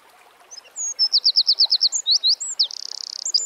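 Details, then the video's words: A Eurasian wren sings in natural surroundings: a strident high phrase of quick repeated downward notes, curling whistles, then a rapid buzzing trill that runs to the end of the clip. "Birds Singing - Eurasian Wren"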